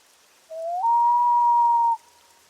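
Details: Common loon of northern lakes giving a wail, the call loons trade back and forth to locate each other: a single drawn-out cry starting low, stepping up to a higher pitch and holding over a second before ending abruptly.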